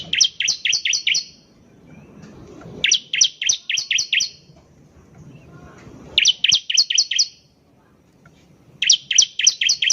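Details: Bar-winged prinia (ciblek) singing energetically, used as a lure to get other ciblek to sing: four bursts of about eight sharp, high, doubled chipping notes, one burst every three seconds, over faint low background rumble.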